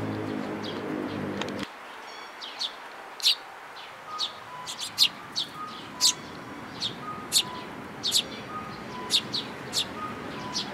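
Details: Sparrows with their chick on 18 May 2018 give bright, clipped high chirps about once a second after a low rumble fades out in the first two seconds. Faint steady tones are heard in the background.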